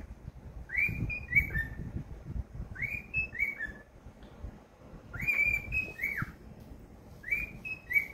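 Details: Happy cockatiel repeating the same whistled phrase about four times, each a quick rising note followed by two falling, bent whistles.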